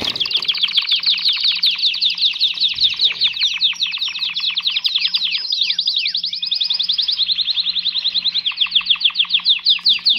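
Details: A canary sings during mating in a continuous, loud, high song of rapid rolling trills. Fast repeated notes shift speed and pitch, and a few swooping slurs occur midway, with a low steady hum beneath.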